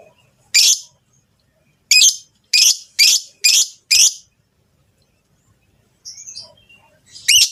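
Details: Rosy-faced and Fischer's lovebirds give a mating call meant to stimulate the female to breed. Six shrill, harsh high chirps come in an uneven burst, then a pause, faint chatter and one final sharp shriek.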